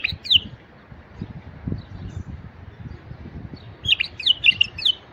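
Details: A male White-eared bulbul gives a brief liquid note, then a quick bubbly phrase of four or five bright whistled notes; a faint low rumble sits underneath.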